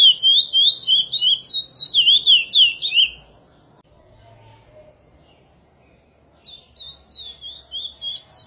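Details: Chestnut-bellied seed finch (curió, praia song type) singing a rich, fluting run of quick, slurred whistled notes, three seconds long, then a pause before the phrase starts again.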